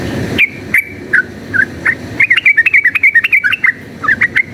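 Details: Spaced single chirps from a yellow-vented bulbul speed up into a rapid run of bright, rolling notes. The bird is in a fighting-style song, played as a lure to make other bulbuls aggressive.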